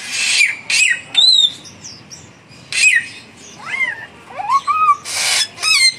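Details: Samyong bird in a song duel between a young and a mature bird: scattered whistled slurs and short curved notes, broken by harsh noisy bursts and quieter gaps.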